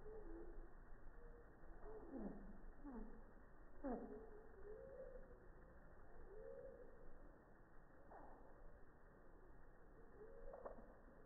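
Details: Slow-motion recording with an iPhone 6+ at a hummingbird feeder, 3 feet away, on a quiet morning; the slowed song gives a string of low, swooping and dipping whistles with several sharp descending sweeps, faint hum beneath.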